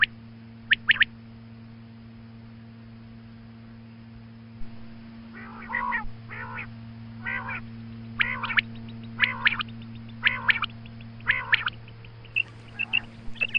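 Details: Female quail calling in the morning: a short pair of high chirps, then a run of nasal, harmonic-rich notes repeated roughly once a second, later mixed with quick sharp chirps, over a steady low electrical hum.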